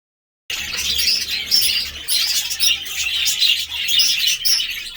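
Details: Budgerigars chattering: a dense, continuous stream of high chirps, squeaks and scratchy warbles that starts after half a second of silence and keeps rising and falling in loudness, with a faint low hum underneath.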